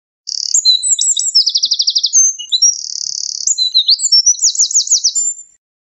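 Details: Loud Eurasian wren song lasting five seconds: sharp notes, a rattling trill, a buzzy sustained section and fast sweeping repeated notes, ending abruptly.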